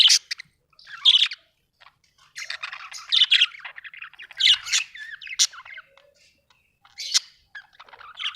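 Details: Budgerigar giving harsh squawks mixed with warbling, twittering chirps in bursts of about one second, with gaps of silence between them and several loud, grating peaks.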